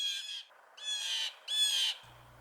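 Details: Blue jay (Cyanocitta cristata) in spring, chattering as more jays arrive: three harsh, buzzy, high calls, each about half a second long, in quick succession, followed by a faint low hum.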